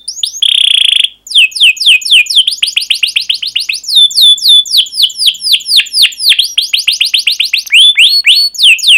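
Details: Energetic canary song with sharp 'cuit cuit' notes and rolls, used to train young birds: brief buzzy tone, then a long fast series of steeply falling chirps, speeding up and slowing in waves.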